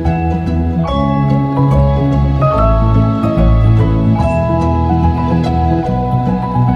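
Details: Gentle instrumental music of layered, sustained tones and soft plucked notes plays throughout, with no animal voice present.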